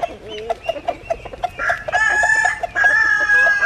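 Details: Chicken giving quick, evenly spaced clucks that run into a rooster's sustained, strained crow, held on one pitch in two long drawn-out stretches.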